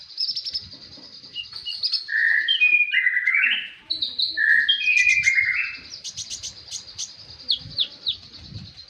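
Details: Konin in a song tutor recording: a varied, rich phrase of loud whistled notes and sliding slurs, mixing high chips with lower fuller whistles in quick succession, over a steady high hum.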